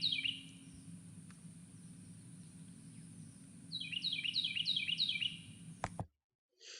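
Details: Carolina wren, South Carolina's state bird, heard in South Carolina: a loud, rolling series of bright, slurred whistled phrases, repeated quickly several times, over a steady low hum.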